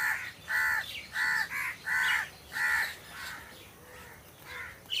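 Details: Crows perched in trees, one cawing loudly in a quick series of six harsh, evenly spaced caws, then quieter, more distant caws trailing off.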